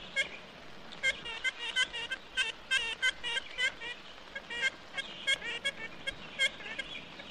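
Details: Ivory-billed Woodpecker in Florida, probably its last stronghold, on a 1969 record: nasal, tinny toots like a toy trumpet, single and doubled, about two per second and irregular. Faint background hiss.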